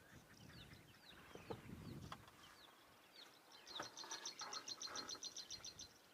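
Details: A Black-chested Prinia by a road among thorn trees on the morning of 22 February 2023 gives a few scattered chirps, then a fast, even clicking run of about seven high, dry notes per second over a low engine rumble.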